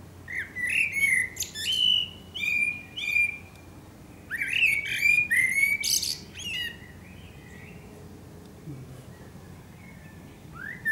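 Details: Eurasian blackbird song recorded at sunset near Akersloot, Netherlands, 30 March 2018. Two loud phrases of mellow, flute-like notes close with squeaky high flourishes, then a near-silent stretch and one faint rising note.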